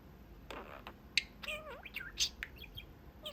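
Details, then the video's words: Pet male budgerigar chatting with his owners from the window perch of his cage; a breathy raspy burst, then a harmonic warbled phrase that dips and rises, followed by quick chirps and clicks indoors. "Talking Parakeet"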